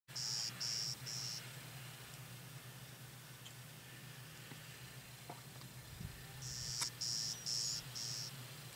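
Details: A male Clay-colored sparrow at Kellys Slough NWR, North Dakota, on 14 May 2010 sings a short series of three or four flat, insect-like buzzes, high-pitched and evenly spaced, given twice over a low steady hum.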